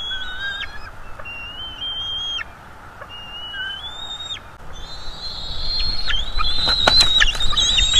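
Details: Juvenile bald eagles at a North East Florida nest during a food delivery, giving thin high whistled calls that rise and break into chittering toward the end, over low background rumble.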